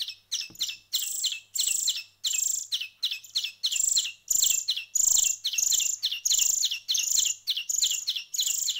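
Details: Nestling small birds after a week of hand feeding call in rapid rhythmic bursts, roughly a hundred per minute, each a hissing, buzzy high squeal ending in a thinner chirp, with faint handling noises.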